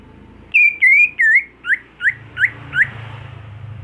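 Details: Home-raised greater green leafbird in a cage, being conditioned to sing fiercely at contests. Three long, level whistles are followed by four short upswept notes, evenly spaced, against a steady low hiss.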